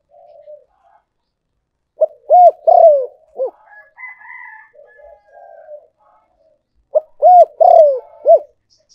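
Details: Spotted dove cooing used as a decoy: two full low phrases five seconds apart, each of short notes, a falling drawn-out coo and a clipped end, with fainter cooing and a higher tone between them.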